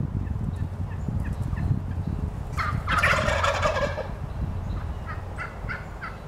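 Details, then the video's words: Wild turkey males displaying to females at Lynde Shores, Whitby, Ontario, March 30, 2018: one loud, rapid, rattling gobble lasting about a second, mid-recording, over low rumbling background with faint small-bird chirps afterwards. "Wild Turkey Males Displaying to Females"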